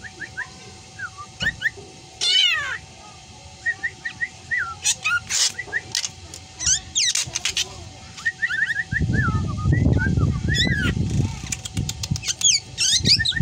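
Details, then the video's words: Black drongo imitating a cat's meow among its other characteristic calls; a varied stream of high looping whistles, short chirps and a drawn-out descending meow-like note, with a stretch of low rumbling noise midway. "Burung Sri Gunting Yang Doyan Ngomong Meong Dan Teriakan Anehnya"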